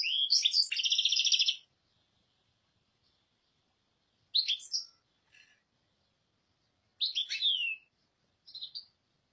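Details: European goldfinch with a dense, buzzy, twittering opening phrase, then brief tinkling bursts and a slurred descending note separated by silent gaps.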